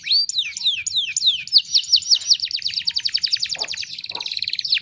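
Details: Canary song recording used as a training tutor to get other canaries singing again: long rapid trills of high descending whistled notes, sweeping downward in quick repeated series, then a fast buzzy rattle of short notes, all bright and continuous.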